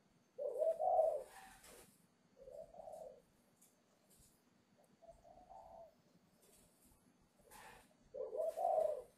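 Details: Spotted dove from a bird farm in Ba Vì, Hanoi, Vietnam, its voice newly breaking before delivery on 10 November; separate coo phrases spaced by silences, starting loud, softening in the middle, and ending with another strong double coo.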